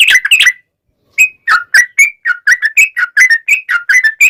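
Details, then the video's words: Trucukan (yellow-vented bulbul) singing a gacor, long ropel song meant as a lure for other trucukan; a short burst, a pause, then quick bubbly whistled notes alternating rising and falling, several per second. "KICAU SUARA trucukan gacor ropel panjang pancingan trucukan agar bunyi MENJADIKAN trucuk gacor NYAUT"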